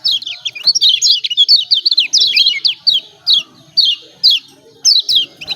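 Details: Kecial kuning white-eye of Lombok calling 'ciak ciak', used to stir birds that will not sing: dense high twittering for about two seconds, then evenly spaced single down-slurred chirps roughly every half second.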